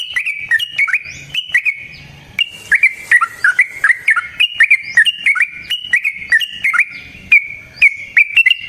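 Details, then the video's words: Long fighting song of a yellow-vented bulbul, used to stir another bird into singing. Rich bubbly phrases of slurred notes repeat almost without pause. Faint rising whistle-like sweeps and crisp clicks are heard throughout. "Suara Burung TRUCUKAN gacor TARUNG ROPEL PANJANG pancingan trucukan agar JADI trucuk gacor EMOSI"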